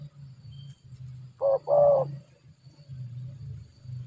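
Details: Spotted dove from a trapping session, more distant. It gives a single short note and a longer, level coo over a steady low droning hum.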